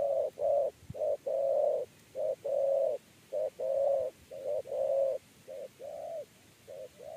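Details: Spotted dove giving the three-note 'kuk 3' coo style, used to lure doves into a trap cage. Low, hollow coos come in short and drawn-out notes in a rapid, uneven run of about a dozen over seven seconds.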